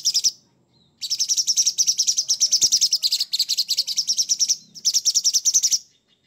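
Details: Sooty-headed bulbul in full voice with coarse 'materi kasar' phrases: a long run of rapid, buzzy, high pulses lasting several seconds with brief breaks, followed by a shorter burst, against near silence.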